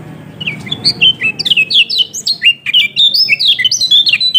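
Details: Yellow-throated white-eye singing as a prompt for a silent bird: a steady stream of high, rapid whistled notes, each sliding up or down, building after a quiet start.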